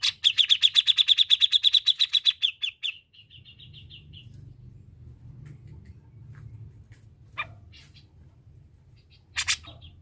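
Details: Cucak jenggot, or grey-cheeked bulbul, singing gacor for a master recording: a dense, fast rattle of sharp chips for nearly three seconds, a softer tail of notes, then quiet hum and two brief later calls.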